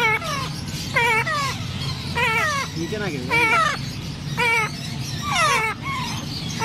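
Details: Grey parrot chick being hand-fed giving whiny, wavering begging calls about once a second, rising and falling in pitch, with a low hum and a voice speaking.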